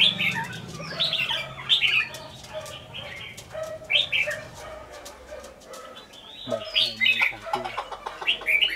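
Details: Red-whiskered bulbul, a caged decoy bird from Lương Sơn, giving repeated quick, chirpy, whistled phrases. A low hum, clicks and scratchy rustling run through the recording.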